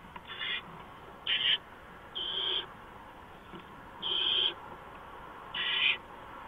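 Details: Barn owl at the nest before dawn, 4:26 AM on 6 March 2015, as a mouse is brought in; five short, harsh, breathy hisses of about half a second each come at uneven gaps over quiet background.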